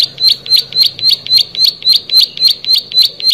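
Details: Loud, uninterrupted plain prinia song made of insistent rasping chips repeated in an even rhythm, close to four per second, dominating a quiet background.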